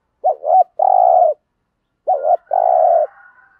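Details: Spotted dove with the standard 'thúc gù' coo, played to trigger wild doves: two matching phrases, each a quick wavering double note and a longer low even coo, with a faint fading whistle at the end.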